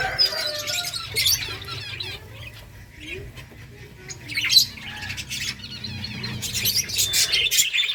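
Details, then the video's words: A captive finch colony eating egg food chirps busily, with many short, high, overlapping chips and twitters coming in bursts, along with a faint low rumble underneath. "Birds chirping sounds Finches eating eggfood finches colony"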